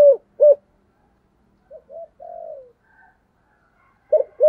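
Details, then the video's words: Spotted dove, 'giọng thổ' calling style used to attract wild doves: two strong coos, a softer mumbled trio with a long drawn note in the middle, then two loud coos again. "cu gáy giọng thổ gáy gọi dùng kích bổi rất hiệu quả"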